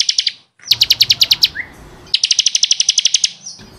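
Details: Bar-winged prinia singing strongly for a caged-bird tutor recording: three separate fast bursts of bright, evenly spaced high chirps, about ten notes each, with a short upward slur between.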